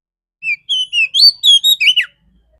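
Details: Female Oriental magpie-robin with a clear voice, a morning lure to stimulate males: a quick run of about eight bright whistled notes, some rising and some falling, the last one sweeping sharply downward. The background is quiet.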